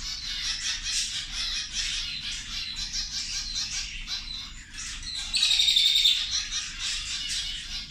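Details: Zebra finches calling while feeding at lunch, fast repeated nasal chirps about four a second, with a louder drawn-out thin whistle breaking through in the later seconds.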